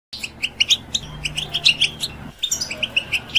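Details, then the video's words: European goldfinch, kept as a pet bird, singing to stimulate other birds: bright, short twittering notes in quick irregular series with a brief pause midway, over a soft low hum. "Goldfinch Sounds To Stimulate Birds"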